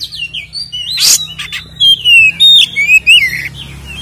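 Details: White-rumped shama singing to provoke captive birds: smooth, sliding whistles and warbles, one harsh rasping burst early, then a run of clear, looping whistled notes.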